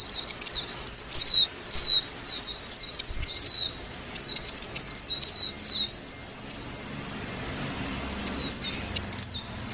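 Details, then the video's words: A white-eye gives quick strings of sharp, high, falling chirps for several seconds, goes quiet, then adds a few more notes. "tiếng chim vành khuyên hót líu lo"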